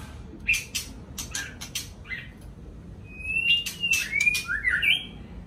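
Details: A white-rumped shama sings at dawn: clicks and short chirps first, then a flowing series of pure whistles that slide up and down before ending on a higher twist.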